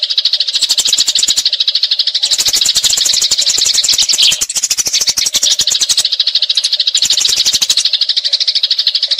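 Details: Fighting Eurasian tree sparrow in a continuous rolling chatter, a tutoring recording for champion magpie-robins: fast, harsh, high chirps packed tightly together, with brief breaks and crackling, distorted bursts throughout.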